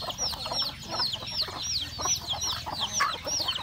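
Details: Home flock of chickens, hens and roosters, at their breakfast feed; repeated bright, downslurred peeps, nearly three a second, over lower clucking chatter.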